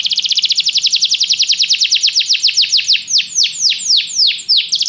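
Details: Canary song for training a pet bird to sing: a very fast tour of repeated down-slurred notes that gradually slows into wider, separate swooping whistles.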